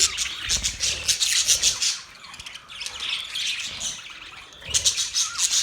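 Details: Budgerigars chirping and chattering in a dense, scratchy, high warble with rapid clicks and squeaks, easing off midway, then rising again in a loud burst toward the end.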